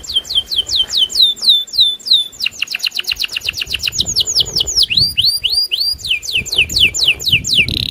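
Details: Aroused loper canary singing to challenge a rival: nearly eight seconds of rapid repeated notes, shifting between hooked upslurs, a dense fast trill and rising rolling phrases, with a quiet low background.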